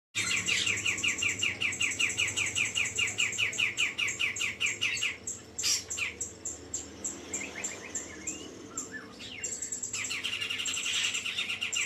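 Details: Grey-cheeked bulbul singing a fast run of bright, sharply falling chirps, about two or three per second, then a brief pause with softer scattered notes before the chirping series resumes.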